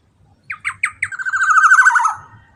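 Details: Black-naped oriole, a loud lively bird offered as a lure sound: four separate sharp slurred notes, then a rapid, slightly falling buzzy chattering run lasting about a second, with a faint low rumble beneath.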